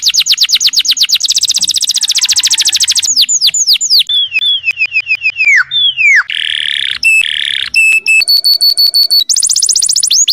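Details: Canary master song for training other birds: varied long sequence of rapid high trills, sweeping descending slurs, dense buzzy rolls and steady flat tones, closing with another fast trill.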